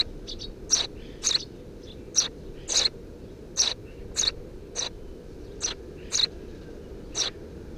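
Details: Under a house roof on 2 June 2017, three Eurasian tree sparrow nestlings produce a run of about eleven piercing chirps, some paired with faint softer notes, irregularly spaced, against a low steady drone.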